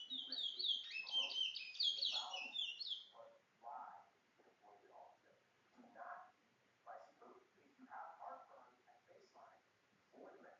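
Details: Guyanese towa towa, the chestnut-bellied seed-finch, bringle bird: a dense, rapid burst of high, sharp chattering notes for about three seconds. Steady human talking follows.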